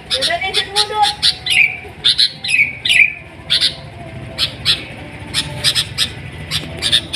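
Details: Kutilang, the sooty-headed bulbul, gives clusters of crisp chirps and several quick downward-slurred whistles, with softer lower notes early on and sparser chirping later.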